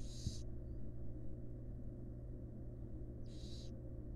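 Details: Wild barn owls, a mother feeding her fledglings in a monitored box: two rough, airy hisses about three seconds apart, separated by a quiet stretch with only a low hum.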